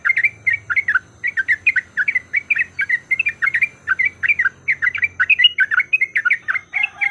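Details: Lure recording of yellow-vented bulbul song meant to trigger fighting song, a continuous run of quick bubbly two-part chuckling notes, several each second, with a low hum beneath.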